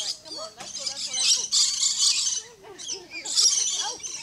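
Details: At Lion Country Safari, Florida, a rainbow lorikeet perched in a tree gives grating, hissy high screeches in uneven bursts, broken by short twisting whistles and brief pauses.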